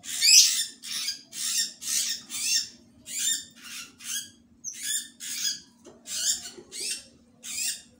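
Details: A newly bought captive black-naped monarch, held in a small cage before release into a mini aviary, gives harsh, rasping, high calls about every half second over a faint steady low hum.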